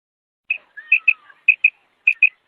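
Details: Female quail calling: short, sharp, high whistled notes in three quick pairs, with faint lower slurred notes between the first pairs, against a silent background.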